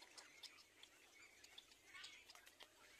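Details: A little black cormorant chick, being fed by its parent, gives thin, high, raspy squeaks in quick irregular bursts, several a second, over a soft hiss.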